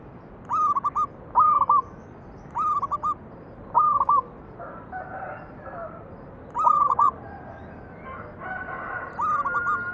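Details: Zebra dove cooing, used as a lure to set other doves singing: six clipped phrases of level whistled notes, each ending in a quick rolled stutter, spaced roughly every one to two seconds, with softer overlapping calls midway.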